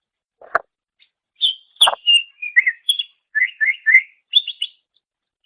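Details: Greater green leafbird (cucak ijo) master song for training songbirds: two harsh clicks, then clear whistles and groups of three rising chirps repeated in quick succession.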